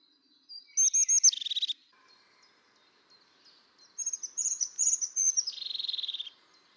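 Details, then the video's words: A crested tit gives two bursts of thin, high 'zi-zi' notes, each ending in a buzzy, purring trill; the background is otherwise quiet. "Vögel und ihre Stimmen - Haubenmeise"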